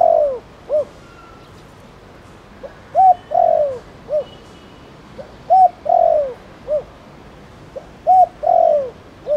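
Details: Spotted dove, Thổ Đồng calling style meant to stimulate other doves; four repeated phrases of low mellow coos, each a tiny lead note, a short clipped coo, a long downward-sliding coo and a short round closing coo.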